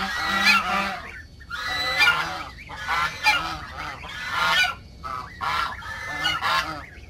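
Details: Raucous honking from backyard geese, harsh calls repeated almost every second in uneven bursts, several birds calling together.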